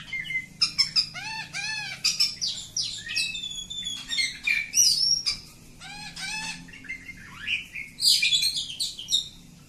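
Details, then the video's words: Long song of an oriental magpie-robin of village type: repeated arched whistled notes in quick series, sweet clear whistles and buzzy phrases, over a steady low hum. "Kacer Kampung. Super Ngacor panjang"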